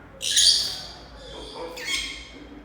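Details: Pet African grey parrot kept alongside Senegal parrots it does not really like: two harsh, loud, broadband squawks about one and a half seconds apart, indoors.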